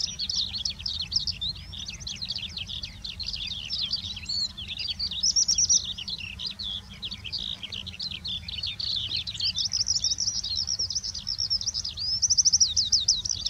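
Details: Eurasian skylark delivering a long unbroken high warbling song, fast twittering notes tumbling over one another, short buzzy trills recurring near five, ten and twelve seconds, steady low background noise.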